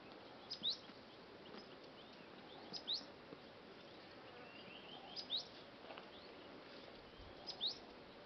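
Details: Cinereous Tit in Punjab, India, on October 6, 2024, giving a short, high, sharp note about every two and a half seconds, four times, over a steady background hiss.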